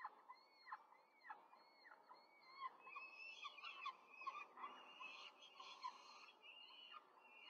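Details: Peregrine falcons at a nest in Rome, 5 May 2023, during a quick feeding of four chicks by an adult: a series of harsh downslurred calls about every half second, then overlapping squealing chick calls.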